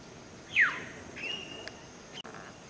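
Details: Black-hooded oriole (Oriolus xanthornus), call.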